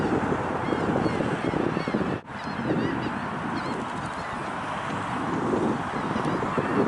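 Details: Several ducks on a pond near Dunedin/Tarpon Springs, Florida, in March 2021, giving a steady, overlapping chorus of nasal, honking calls, unbroken apart from one brief drop, over a noisy background.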